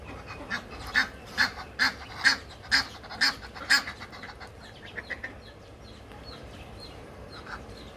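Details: Egyptian geese: a steady series of about eight short nasal honks, roughly two per second, then fainter softer calls trailing off amid background murmur.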